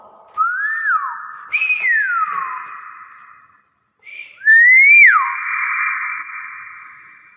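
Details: Common hill myna (beo) gives three loud, pure whistles, each swooping up then sliding down, the last held as a long ringing note; otherwise quiet. The bird also repeatedly says "Assalamualaikum" and "terus" around this clip.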